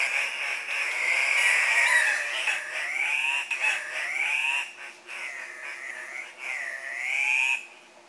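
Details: Andean cock-of-the-rock males gathered at a lek, competing for breeding females while bobbing and hopping. Loud, continuous nasal squawking with drawn-out rising and falling wails that overlap from several birds.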